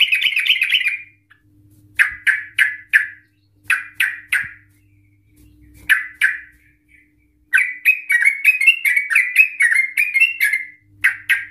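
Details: Lively trucukan, the yellow-vented bulbul, used as a lure for ropel singing. Groups of separate clipped chirps give way to a rapid continuous chatter of bubbling notes, then more chirps. A soft low hum is present.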